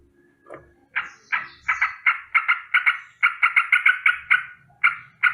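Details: Sooty-headed bulbul alarm call heard in the morning, starting with a soft note then building into a steady series of harsh rolling double notes.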